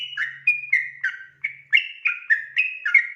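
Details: A sooty-headed bulbul sings the rapid 'ropel' song at night: quick, pure whistled notes that flip between higher and lower pitches in a steady chattering stream, with a faint low hum underneath.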